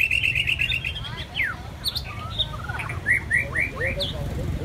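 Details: ['Song of a white-rumped shama: a fast trill of high whistled notes, then assorted slurred whistles, swoops and short chirps in varied, irregular succession.']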